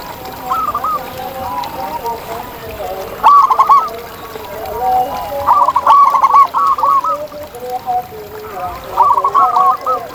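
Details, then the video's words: Zebra doves calling in the wild: short bursts of rapid, clipped cooing notes repeated every few seconds, over a constant murmur of softer cooing from other doves nearby. "Ini Dia Suara Asli Perkutut Liar di Alam!"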